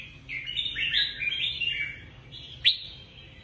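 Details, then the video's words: A caged red-whiskered bulbul's song, used to excite other caged birds: one continuous liquid, bubbling whistled phrase of slurred notes, followed after a short gap by a single sharp upswept note. "นกปรอดหัวจุก เสียงนกกรงหัวจุก ขวัญใจสายเบิ้ลอาชีพ ฟังแล้วคึกเหมือนเดิม นกไม่คึกห้ามฟัง"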